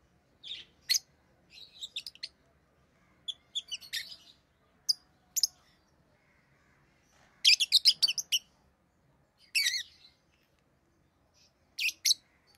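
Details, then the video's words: Rosy-faced lovebirds kept as pets, in orange-faced green and red-headed green colours, chatter in repeated bursts of sharp high chirps and rapid squeaky strings separated by short silences. "Rosy Faced Lovebird Chirping Sounds"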